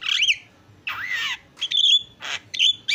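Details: Javan myna giving a varied phrase: a harsh rising squawk, a long nasal wavering note, then sharp whistled chirps and a rasping burst.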